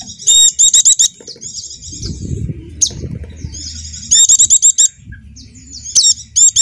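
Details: Javan dakun-type white-eye, used as a lure to get silent birds singing: loud bursts of very high, buzzy chattering notes, sometimes in quick runs of four to six, with thin twittering between them over a low rumble.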